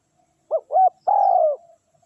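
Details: Single phrase from a spotted dove used to lure wild doves: two short rising coos then one long, slightly falling mellow note, recorded close in quiet surroundings.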